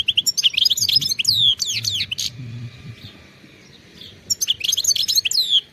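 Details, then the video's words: European goldfinch, wild, singing rapid phrases of high chirps and downslurred twitters, pausing briefly midway before another lively twittering run. "غناء خلوي صوت وصورة نقية جدا من أروع ما ستشاهد على منصة اليوتيوب HD video singing carduelis"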